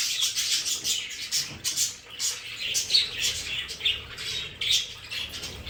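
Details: Pet budgerigars in their home play area keep up continuous high, buzzy warbling chatter, broken by sharp squeaks and short clicks, with no pause.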